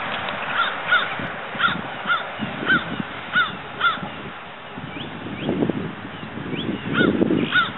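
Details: Two one-week-old Florida sandhill crane chicks (Antigone canadensis pratensis) playing and running near their mother's nest, giving short, high peeping calls, several per second at first, then scattered, over low rumbling wind or handling noise.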